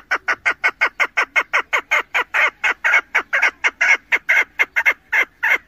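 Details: A female chukar partridge gives a fast, steady series of harsh clucking notes, about twenty in under six seconds, with no other sounds.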